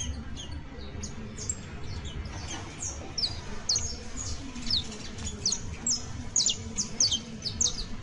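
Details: A juvenile saffron finch (canario basto) sings a rambling series of high, quick downslurred notes, building toward the end, with a low hum beneath.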